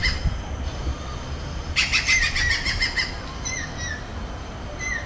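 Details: Resident Stork-billed kingfisher at Pasir Ris Park, Singapore, gives a sudden burst of harsh, rapid cackling notes, then a few shorter, thinner calls, over a low rumble of wind and distant noise.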